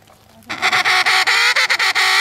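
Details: Emperor penguins met on the sea ice between Cape Evans and Cape Royds in Antarctica; a loud, harsh, buzzy trumpeting call begins abruptly and pulses in rapid beats, rich in upper harmonics, after faint background murmur.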